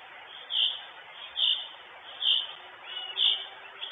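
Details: Live camera at an Estonian northern goshawk nest, 23 June 2022, with the female present; four bright, piercing calls spaced about three quarters of a second apart stand out from a hissing background.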